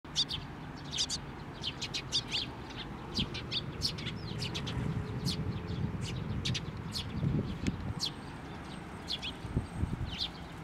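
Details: Sparrows at a Tenmangu shrine coming for food and feeding chicks, 22 May 2024: many short, sharp high chirps scattered irregularly over a steady low rumble of background noise.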